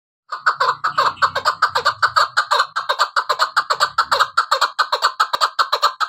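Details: Female chukar partridge used for hunting, calling: a fast, steady series of throaty clucking chuk notes, about two or three a second, with faint low murmuring in the first half.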